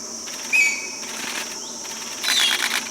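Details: Green magpie recorded in Bangladesh gives a level whistled note early on, then a fainter falling whistle; a constant high insect whine and a swelling cicada buzz fill the background.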